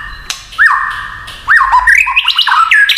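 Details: White-rumped shama kretekan song meant to rile other shamas: long sliding whistles, then a quickening sequence of rising and falling whistled notes.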